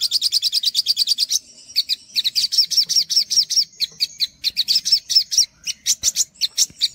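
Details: Olive-backed sunbird masteran song, a continuous stream of rapid, sharp chirps and down-slurred whistled notes, high-pitched and varied, repeated several times per second without pause.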